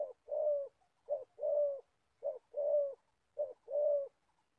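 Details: Old decoy spotted dove from Gia Lai, Vietnam, used for trapping wild doves, calling in a good voice: four paired phrases in under five seconds, each a short clipped note followed by a longer, level, mellow coo. Quiet background.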